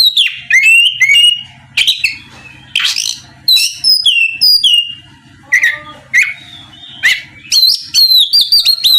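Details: Loud oriental magpie-robin song aimed at stirring an opposing bird to sing back: varied whistles swooping down and up, harsh chattering notes and quick rising phrases in bursts about every second, over a low hum.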